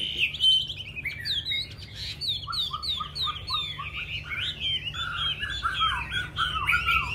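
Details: Chinese hwamei song of repeated downslurred whistles, then a long run of paired notes alternating high and low, rich and continuous over a faint background hum.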